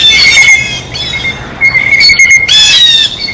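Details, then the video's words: Blue jays at their feeder, eating: a harsh squawk opens, a quieter gap follows with a steady thin high tone, then another loud grating burst near the end. "El SONIDO DEL BLUE JAY (Arrendajo Azul)"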